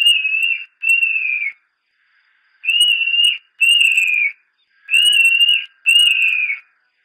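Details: Montane nightjar song: clear, high whistles in pairs, each note held then dropping slightly at the end, the pairs repeated about every two seconds in stillness.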